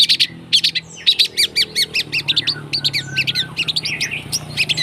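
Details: Long-tailed shrike song made of quick, repeated chirped and squawky notes at about two per second, with a low steady hum behind.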